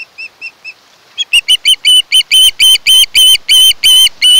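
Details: Osprey of a nesting pair on Kent Island, Maryland, nest camera, 1 August 2018: three soft whistled chirps, then a burst of loud, increasingly long piping notes in quick series.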